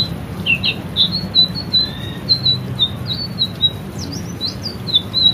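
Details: Caged-bird training recording of a white-rumped shama: softer series of high thin whistles and chirps, some rising or twisting, repeated steadily over a noticeable low background noise.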